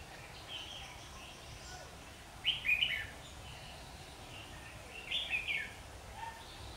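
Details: Red-whiskered bulbul during trapping, birds fighting and falling to the ground, 27 September 2019; two short bright warbled phrases a few seconds apart over a quiet, faintly hissing background.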